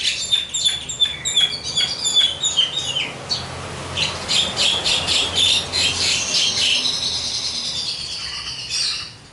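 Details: Javan myna in full song: a fast series of sharp rasping notes, then a dense, noisy churring chatter that fades at the end.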